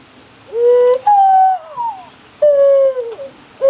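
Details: Mourning dove on a branch near a window, answering a person's calls: mellow hooting coos, a low note rising into a long sliding fall, then a second drawn-out descending coo about 1.5 seconds later.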